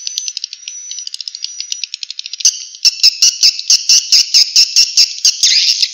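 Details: Swiftlet sound from Vietnam used to draw swiftlets into bird houses: a thin whistle with quick ticks, then loud sharp clicks repeated about twice a second over a high buzzing chatter.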